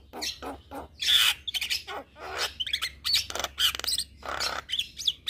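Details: Javan myna, a champion singer, chattering nonstop with harsh, grating squawks and raspy bursts mixed with brief whistled notes, under a steady low hum.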